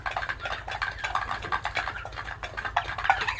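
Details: Turkey (Meleagris gallopavo) chicks cheep constantly in a dense, overlapping chorus of short, bright peeps, with a few clearer whistled notes near the end.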